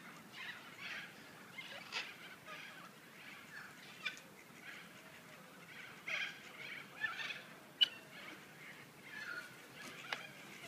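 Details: White cockatoos at the Murray River, Echuca, Australia, give harsh, raspy screeches, several overlapping bursts every second or two, with a steady background hiss throughout.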